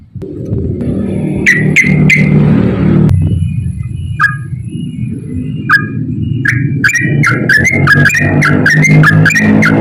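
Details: Yellow-vented bulbul singing frequently in a long ropel style, used as a lure to stir reluctant bulbuls to sing: short chirpy notes, sparse at first, then a rapid chattering run, over a loud low rumbling background.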